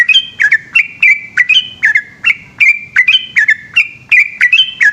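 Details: Yellow-vented bulbul singing at night, a ropel song of quick, warbling whistled notes. Each phrase flicks up and slides down, and the phrases follow closely in a busy, continuous flow over a quiet background.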